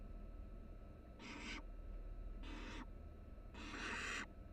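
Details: Barn owl nestlings, three chicks inside a live-camera nest box at the University of Florida; three harsh wheezing hisses about a second apart, the last one longer and louder, over faint continuous hum.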